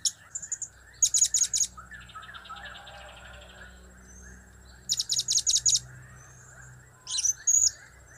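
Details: Blue-crowned hanging parrot in cap, kiak and crap styles: rapid bursts of high chips, a softer buzzy chattering sequence, and a final twisting note, over a low hum.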